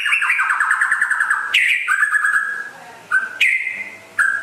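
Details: White-rumped shama from West Aceh, said to be rare and to sing constantly, delivering a rapid trilling phrase followed by short sharp rising whistles with brief pauses between them.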